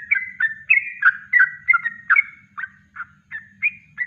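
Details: Yellow-vented bulbul in natural kongslet song, recorded to train other birds: mellow, slurred whistled notes, some drawn out, falling into shorter spaced chirps, over a low humming background.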